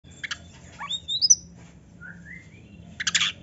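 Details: Oriental magpie-robin song, a lively bird said to sing with rich, varied imitation phrases: two rising thin whistles at about two and three seconds, framed by short harsh rasping bursts at the start and end, with a faint low hum beneath.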